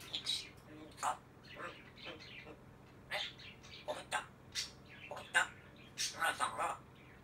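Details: Grey parrot talking, speech-like phrases mixed with short chirps and squeaky whistled notes, delivered in uneven bursts with brief gaps.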